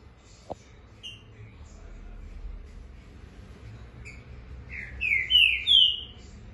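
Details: Green-winged saltator, a caged Brazilian competition bird, numbered 175 and a 2019 COBRAP national champion, with a song in the fast 'fibra e velocidade' style. Quiet at first with faint notes, then a loud phrase of three rich, slurred whistles near the end.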